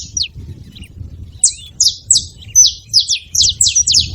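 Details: Wild saffron finches at a seed spot making noise: one high falling chip, a pause, then from around one and a half seconds a quickening series of sharp downslurred chips.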